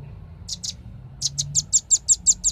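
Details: High chipping of a velvet-fronted nuthatch used as a bird lure: two notes, a short gap, then a fast even run of seven loud, piercing chits.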